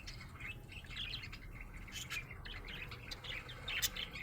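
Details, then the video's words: Quiet, busy twittering from a happy budgerigar: a continuous string of small scratchy chirps and squeaks with a few sharper peeps, against a low background hum. "Happy budgie chirping sound"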